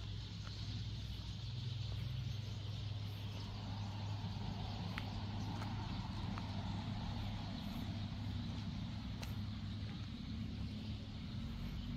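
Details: A steady low rumble of passing traffic with a few faint clicks, and no clear animal voice.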